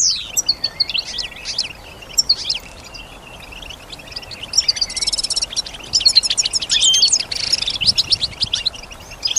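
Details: Kept female European goldfinch singing while imitating surrounding sounds, with rapid high twittering, buzzy notes and a dense trill near the middle, separated by short pauses over a faint hiss.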